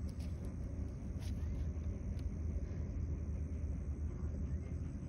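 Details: Steady low engine-like rumble fills the recording, with no animal calls.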